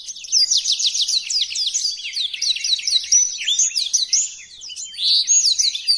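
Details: Blackthroat in full song, meant as a tutor recording for other birds: dense, continuous high chattering built from quick repeated down-slurs, followed by louder sweeping whistles and a short quieter pause near the end.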